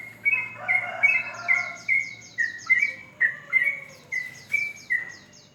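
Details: Morning song of a sooty-headed bulbul in rapid ropel style, a string of clear, slightly slurred whistled notes roughly every half second, accompanied by high, thin descending chirps in quick runs.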